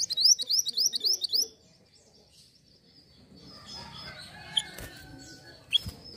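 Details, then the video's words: Hill blue flycatcher recording meant for luring birds: a rapid run of bright, high, rising whistled notes for over a second, then quieter chips and a faint steady whistle. "pancing bunyi Mantenan Gunung"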